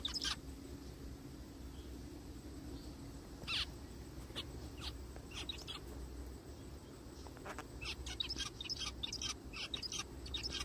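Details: Brief, buzzy zebra finch calls in forest surroundings, spaced irregularly, with one stronger call around three and a half seconds and a denser cluster of softer chirps late on; steady low hum throughout.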